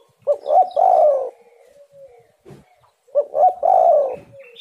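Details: Lure recording of a spotted dove: deep cooing phrases repeated roughly every three seconds, each opening with two quick rising notes and ending in a long descending purr. A faint soft knock sounds between them.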